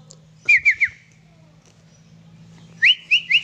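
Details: Sooty-headed bulbul kept at home, singing two phrases of three clear whistled notes each, rising then slightly falling, separated by about two seconds of quiet; steady low electrical hum in the background.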